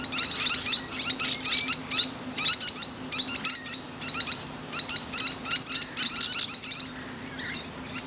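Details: Resting musk lorikeet chatting with other birds: near-continuous bursts of harsh, high, buzzy screeching in rapid clusters, easing off near the end, over a faint low hum.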